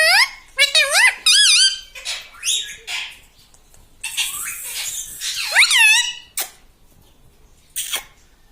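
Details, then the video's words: Indoor pet parrot that talks, saying words like 'mitthu' and 'mummy', produces rapid wavering nasal syllables early on, then a longer raspy burst and a few brief squeaks with gaps of quiet. "Talking parrot - Mitthu mitthu - Mummy Bolne Wala Tota"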